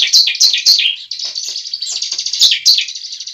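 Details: Bar-winged prinia fighting song, played to push a young bird into singing: three loud descending chips open, then an unbroken high buzzy trill with a couple of sharper accents.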